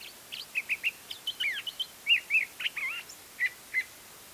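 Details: A Curve-billed Thrasher sings a quick, varied run of whistled chirps and slurred, warbling notes, about three per second, over faint hiss. Recorded in spring in Embudito Canyon, Sandia foothills, Albuquerque, New Mexico, on 31 March 2010 around 9:30 am.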